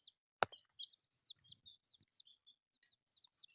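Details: Baby chicks feeding on rice give scattered high, sliding cheeps, spaced irregularly, after a sharp knock at the start and some faint low scuffing.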